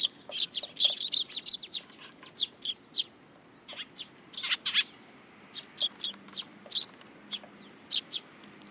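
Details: At a Tenmangu shrine on 8 July 2022, sparrows climbing onto a person's hand chatter in a fast, tangled burst of high chirps at first, then continue with spaced single and paired tweets.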